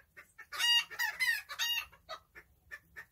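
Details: Backyard chickens giving three loud, drawn-out nasal squawks early on, followed by a series of soft, short clucks spaced irregularly.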